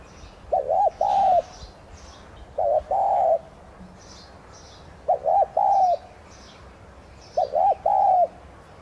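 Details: Decoy spotted dove, tigrina subspecies, in thúc gù coo style meant to stimulate singing: four evenly spaced phrases of two brief hoots followed by a longer, slightly falling coo, roughly every two seconds, with faint distant twittering.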